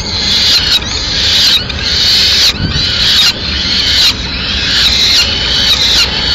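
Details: Peregrine falcon in Madrid, a female bringing pigeon remains on 30 April 2016, giving a steady series of grating, scratchy calls roughly every second with little other sound.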